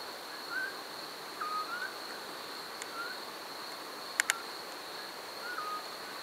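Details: A Eurasian scops owl at Parque de la Vaca, Santander, early in the 2012 season, gives soft single whistled notes every one to two seconds over a steady high insect hiss, with a couple of sharp clicks.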